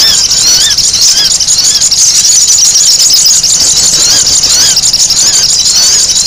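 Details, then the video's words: Sogon noisy call for luring: shrill, overlapping squeals and curved chirps repeated rapidly, a dense high-pitched racket throughout. "SUARA SOGON RIBUT UNTUK PIKAT"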